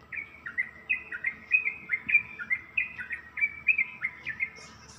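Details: Yellow-vented bulbul, or trucuk, singing in the morning in the rapid ropelan style: a steady chain of short bubbly whistled phrases, each dipping and rising, about three per second, over a faint low hum.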